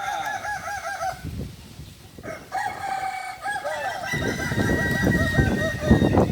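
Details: Kukuak Balenggek rooster training session, Ampang Kualo, Solok city: a wavering crow opens, followed by further stepped crowing while rough low rumbling and handling noise grow louder toward the end.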